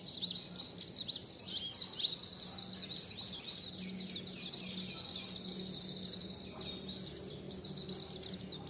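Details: High-pitched bird twittering for the "wit wit zipeer" practice, quick repeated thin notes run together over a constant low hum and faint background noise.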